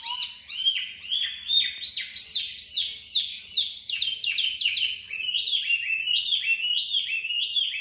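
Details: Caged, hand-tamed Chinese hwamei in contest singing: a rapid run of sharp downward-sweeping whistled notes, several each second, loud and steady throughout, with a quiet room hum beneath.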